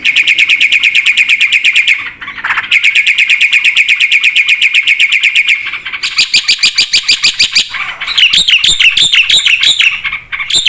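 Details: Black-winged starling in full, energetic song with varied fill-in phrases. A fast, steady stream of sharp ringing notes runs for several seconds, then shifts into wavering, rising-and-falling whistled phrases near the end.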